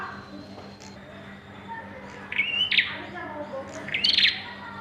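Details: Bar-winged prinia at the pairing stage giving two rising whistled calls with buzzy, crackling endings, separated by a pause, amid soft background chatter and hum.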